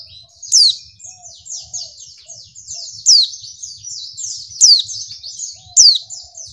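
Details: Female white-eye lure sound for stirring up males: dense, high, thin twitters pour out continuously, with four loud, slurred downward chirps standing out at uneven intervals.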